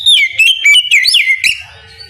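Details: Oriental magpie-robin giving its morning ngeplong song, used as a lure to prompt other magpie-robins to answer: loud, clear whistled phrases sliding down then up in quick succession, with a rising slurred note near the end and a soft fading tail.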